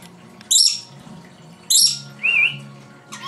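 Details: Indoor pet lory, a female, copying her owner's sounds and throwing in her own: two loud harsh shrieks a second apart, then a quick warbling whistle, and a final rasping squawk, with faint room hum beneath.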